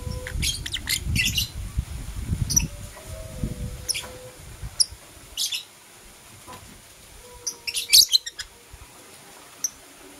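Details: Blue Opaline and Parblue Euwing Opaline lovebirds chirp in the morning: quick high chirp bursts at the start and near the end, a few longer tonal notes, and a low rumble early on.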